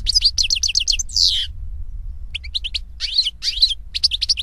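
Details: Wild European goldfinch (Carduelis carduelis) in song: a fast series of repeated high tinkling notes ends in a harsh buzzy downslurred note, then a pause and renewed bursts of liquid twittering over a faint low hum.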